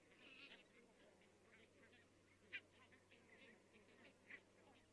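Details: Barnacle geese in great numbers calling far off in Estonia on 22 October 2017; a blurred chorus of short nasal yaps, punctuated by two clearer single barks, one mid-clip and one near the end, over a faint hum.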